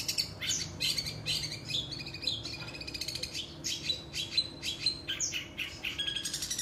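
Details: Long-tailed shrike (cendet) singing a lively mimicry medley that joins rajagetar and woodpecker phrases: an unbroken run of varied high chirps, squeaky whistles and short buzzy rattles, changing every half second or so.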